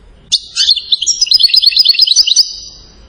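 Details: European goldfinch from Settat, Morocco, singing a quick phrase: a sharp opening chirp, then a fast run of high, liquid twittering notes in an even, rolling stream that ends abruptly after about two seconds.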